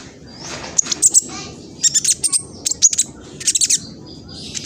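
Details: Speckled juvenile black sunbird from East Java, Indonesia, recorded on a phone as a lure to provoke rival birds into singing. Fast, chattering bursts of very high, thin chirps come in three or four clusters with short gaps between.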